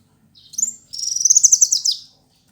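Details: Male kolibri wulung sunbird used as a tutor singer, giving a brief high thin note then a dense fast trill of high whistled pulses lasting about a second, over a faint low hum.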